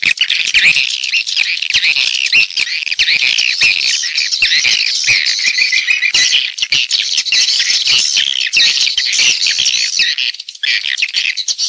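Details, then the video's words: Swiftlet calling and roosting sounds in stereo: continuous, dense, buzzy chatter with rapid trilled chirps, apparently from many birds at once. "suara wallet-suara walet panggil + inap stereo-Suara Walet Original Bersih Plus Jernih"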